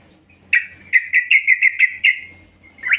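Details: Female yellow-vented bulbul calling to draw males, a run of about eight evenly spaced bright chirps over one and a half seconds, ending with a single rising note.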